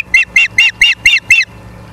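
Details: Ospreys at the nest, Charlo, Montana, on 24 August 2023 at 17:43, give six quick high chirps in a rapid even series, about four per second, then stop, with a faint hum behind.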